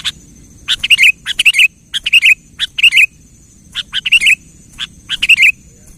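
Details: Kutilang singing nonstop to provoke another quiet kutilang: the same bubbly phrase of clipped chirps ending in a warbled whistle, repeated about every second with short gaps, over a thin constant high hum.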